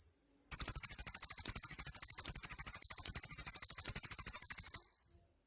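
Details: Cililin song of the rapid-fire 'tembakan' type, used as a training master for songbirds: a fast, dense, buzzy trill, very high-pitched and steady, running unbroken for about four seconds before stopping abruptly.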